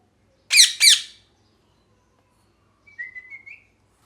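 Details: Parrot calling: two loud, harsh, rasping squawks in quick succession, then after a pause a few soft, thin, whistled notes that slide slightly upward. Quiet indoor background.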